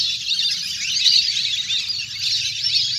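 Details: A large flock of wild ducks playing in the water, recorded in nature for use as a hunter's lure. The calls form a dense, continuous wash of high, overlapping chirps and squeaky whistles with no pauses.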